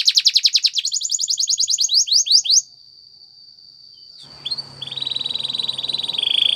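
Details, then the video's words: Spanish Timbrado canary singing a training song, opening with a rapid bright trill that slows into separate swooping notes, then a long thin steady whistle, a pause, and a softer buzzy trill over faint background hiss. "Many canaries join in singing after listening to this song"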